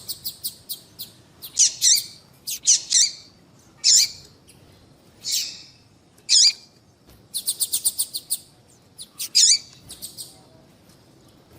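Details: Female papa-capim (seedeater) calling, used to make males sing: short high chirps and buzzy notes in bursts, with quick rattling trills of repeated ticks between them, over a quiet background.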